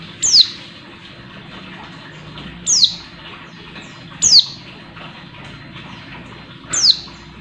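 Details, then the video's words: Calling female Oriental white-eye, meant to stir up a male: four piercing, quickly falling notes roughly every one to two seconds against a faint constant hum. "pleci betina buat menaikan emosi pleci bahan"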